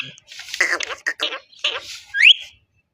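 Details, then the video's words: Parrot mimicking speech: a few rough, breathy, word-like syllables in a scratchy voice, ending in a sharp upward-sliding whistle. "Talking parrot"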